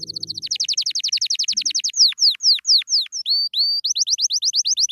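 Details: Canary singing happily: a fast run of rising trilled notes, then slower loud downslurred whistles and a quick rolling phrase near the end, all high and bright.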